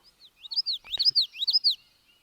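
Common Yellowthroat song: three quick rolling 'witchy-witchy' phrases, high and whippy, swooping up and down, with faint other birds behind.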